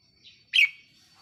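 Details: Red-whiskered bulbul decoy bird, caged, recorded 4 May 2023; a single short loud bright chirp after a faint soft note, with a thin steady high tone behind.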